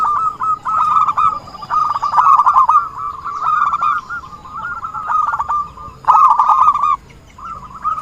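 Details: Zebra dove used as a trapping lure, giving fast trilling coos in long runs that break off just before the end and then resume.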